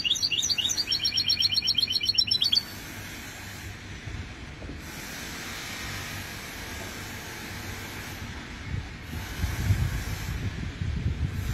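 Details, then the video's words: Goldfinch mule hybrid song recorded in 2020: a dense burst of quick, high, twittering repeated notes lasting about two and a half seconds, followed by a long stretch of low background hiss and rumble without singing. "هجين حسون لغة"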